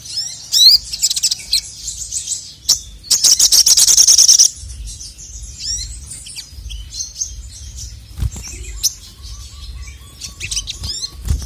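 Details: Male crested jay (sogon) song meant to provoke rival birds: bursts of high chatter and a loud rapid trill, followed by quieter scattered whistles and clicks.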